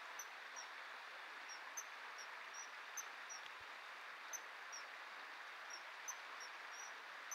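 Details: Common kingfishers at a courtship feeding, with the female declining the male's fish: sharp thin high piping notes at irregular intervals, sometimes paired, over constant rushing noise.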